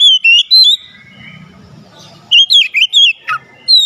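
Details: Oriental magpie-robin song meant to rouse a lazy bird: clear whistled notes with rapid slides, a pause with faint low murmur, then a fresh phrase of looping whistles ending in a dropping note.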